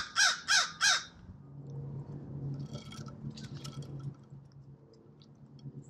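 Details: American crows at a seed bowl; three loud, harsh caws in quick succession open the recording, followed by quieter scattered chattering notes over a steady low hum.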